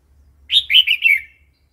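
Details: Single flowing phrase from a red-whiskered bulbul's wild-style song, used to train chicks and wild-caught birds; four slurred whistled notes run together, gently falling and fading away.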